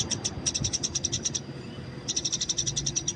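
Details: Wild Eurasian tree sparrow fighting chatter for training: two quick runs of thin, high ticking chirps, about a dozen each, separated by a short pause.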